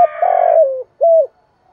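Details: Spotted dove (cu gáy, cu đất), a captive bird kept for calling: a loud, slightly rough drawn-out coo sliding downward, followed after a short pause by a single clear arched coo note.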